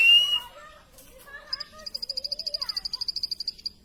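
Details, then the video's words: Plain prinia starting a quick, high, evenly spaced ticking series after a short rising whistle and some low warbled calls from another bird. "plain prinia bird chirping"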